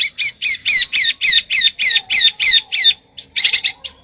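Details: Bird singing in the besetan style: loud, harsh, sharply descending slashed notes repeated about three to four times a second in a steady series, then a brief gap and a denser burst.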